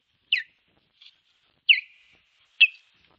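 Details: Osprey at its nest defending it against an intruding osprey, 21 April 2023, nest camera in Finland: three loud, sharp, descending whistled yelps at irregular intervals with a faint shorter note between, otherwise quiet.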